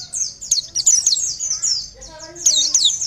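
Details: Oriental white-eye, Bustomi-style song used for luring birds: quick high twittering phrases with slurred chirps, a short dip in intensity midway, then loud trills again, with faint low background sounds.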